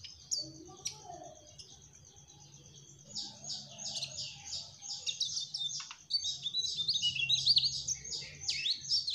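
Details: Mugimaki flycatcher, the trotol type, singing gacor: after a quiet start with a few chirps, a fast run of repeated high, buzzy notes at about four per second builds into louder twittering.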